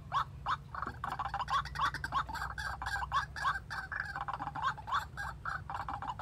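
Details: White-breasted waterhen, used as a decoy to lure wild birds into a trap, gives harsh croaking notes repeated rapidly at about three per second without pause, over a low steady hum.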